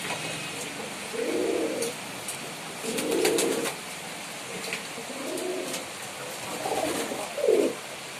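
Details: Pigeon cooing in four separate low, throaty bursts, each lasting around half a second to a second, spaced a second or two apart, over steady background hiss and a few light clicks.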